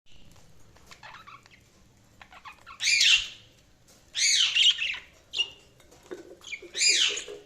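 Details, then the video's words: Budgerigars chirping: loud harsh squawky bursts around three seconds, four seconds and seven seconds, with softer scratchy chatter and brief whistled notes between them. "Budgies Sounds| Budgies Chirping sound"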